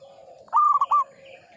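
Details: One loud coo phrase from a local zebra dove in song, a long steady note then two quick short coos, with faint distant chirping behind.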